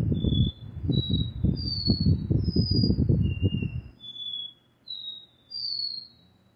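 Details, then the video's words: Double-collared seedeater repeating its classic 'dó ré mi' song of sustained pure whistles shifting higher and lower; heavy low thumping noise covers the first four seconds before the whistles continue over quiet hum. "Caboquinho DÓ RÉ MI REPETIDOR canto clássico"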